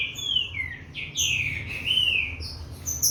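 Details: Captive-bred green-winged saltator, number 157 from a Corvo x Fogueira cross, warming up: loud whistled phrases that slide down and then rise again, one after another, with thin high chirps from other birds above them.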